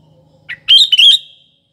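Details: A single sooty-headed bulbul phrase for luring birds at morning, afternoon and night: a short clipped note, then a loud rich bubbling, fluty burst lasting half a second, over a faint low hum.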